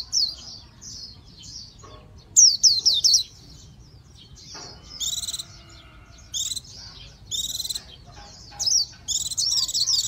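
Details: Intermittent Japanese white-eye song: short bursts of high, sliding whistles alternating with buzzy twittering phrases and quiet gaps.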